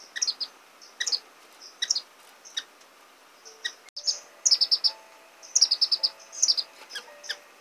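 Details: Orange-cheeked waxbills feeding chicks: spaced high chips early, then loud rapid bursts of descending thin notes repeated roughly every second.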